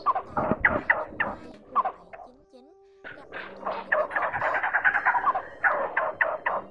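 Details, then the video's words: Blue-bearded bee-eater, male and female, calling the flock as a trap lure; rapid runs of harsh, chattering notes, with a brief quiet gap holding a faint tonal hum. "Tiếng Trảu Lớn Gọi Bầy Trống Mái"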